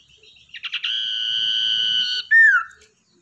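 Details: Tamed wild common iora (sirdung ekor hitam) used to lure others sings one phrase: a handful of clipped notes, a long even whistle, and a strong falling slur to finish.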